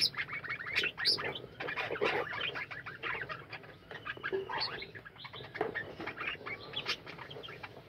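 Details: Many budgerigars in a kept colony chatter at once, giving a busy stream of rapid chirrups and scratchy warbles with sharp high peeps scattered through it.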